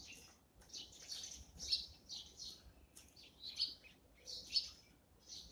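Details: Eurasian tree sparrows at their morning breakfast give bright, harsh chirps in short bursts about once a second, with several birds seemingly calling over one another.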